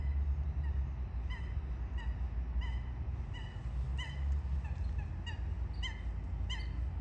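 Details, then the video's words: Eurasian coots during a fight, recorded with other birds nearby: short, sharp, nasal calls repeated about twice a second, some doubled, over a steady low rumble. "Лысухи и другие птицы. Драка и не только"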